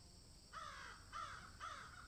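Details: Crow calling while eating food, giving three harsh, drawn-out caws about half a second apart, each with a falling rasp, over a steady background hiss.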